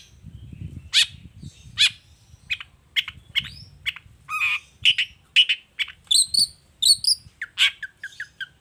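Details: Long-tailed shrike "gacor toet toet" song used as a lure for other shrikes: varied harsh squawks and chips speeding into a rapid string of short notes, ending with high double whistles and quick descending chatter.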